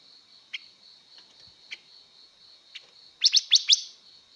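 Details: Female blue-winged leafbird singing to excite males gives a few isolated short chirps, then four quick, loud rising notes near the end, with a steady high tone throughout.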